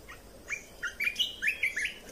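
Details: Caged red-whiskered bulbul song, used to train young birds and excite other birds: a quick run of bright, liquid whistled notes, several rising then falling, in a bubbling phrase of about two seconds.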